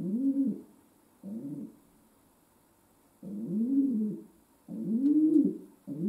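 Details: Indoor pet domestic pigeon cooing in uneven bursts, short and longer low rolling coos with a long gap in the middle, steady faint hum behind.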